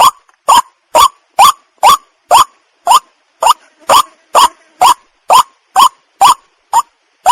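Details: White-breasted waterhen call, used as a lure for bird hunting in rural Bengal: loud, harsh nasal notes with a short rising hook, repeated steadily about twice a second, some fifteen notes over a quiet background.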